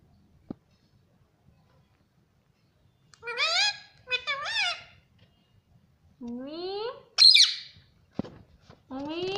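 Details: Pet parrot talking, saying mummy: after three quiet seconds, paired wavering syllables, then a rising drawn-out note and a shrill squeak, with a sharp tap and one more syllable at the close, in a quiet indoor room.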